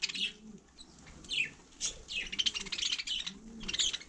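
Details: Budgerigar in frost on snow, mixing bright downward chirps with fast buzzy chattering phrases and short pauses.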